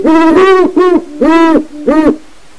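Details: Great horned owls from a breeding project, hooting at night in their aviary to make their territory known to surrounding wild owls: five loud, deep, rich hoots in a rhythmic series, some doubled and run together.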